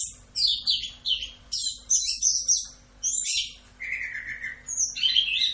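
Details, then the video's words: Orange-headed thrush (anis kembang) singing a full 'Rock'n Roll' style tutor song: a fast, varied run of high whistles, buzzy chatters and sliding notes, ending with a steady lower whistled phrase and a faint background hum. "MASTERAN ANIS KEMBANG FULL Rock'n Roll"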